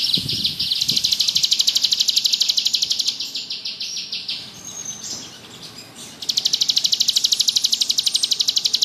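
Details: Bar-winged prinia, ciblek gunung, in lively ngebrem song kept for tutoring other birds. Long high rattling trills of rapid even pulses, broken by a softer pause before the buzzing trill resumes strongly.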